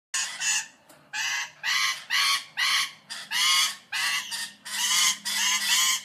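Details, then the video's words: Rainbow lorikeet giving harsh, grating screeches in short bursts, about eight over six seconds at an uneven pace, with a faint low hum underneath. "Rainbow lorikeet Voice"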